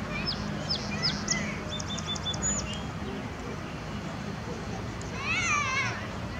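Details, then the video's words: Song sparrow singing outdoors: a few sharp high chips and short whistled notes early on, then a buzzy, rapidly repeated trill near the end, over steady low background rumble. "Song sparrow singing"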